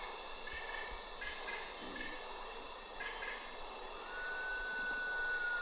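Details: White-winged potoo: one long, pure whistle starts late and slides slowly downward, held to the end, over a dense, steady hiss of insects and short stuttering harmonic bursts from another caller.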